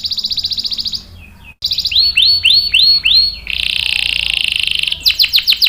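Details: Canary singing, meant to coax and tutor young males. Bright trills stop briefly, then come four or five swooping down-slurred whistles, a sustained buzzy roll, and a closing burst of quick sharp notes.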